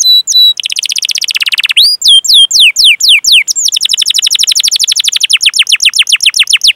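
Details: Canary song intended as a lure to get juvenile or silent canaries singing. Steady whistles and a dense buzzing roll give way to spaced, falling chirps, then to a fast, continuous run of short repeated chirps.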